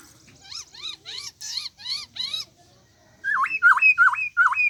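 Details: Softer bird calls, a string of five arched buzzy notes, then after a pause four loud hooked whistles that dip and sweep sharply upward, faint low background rumble.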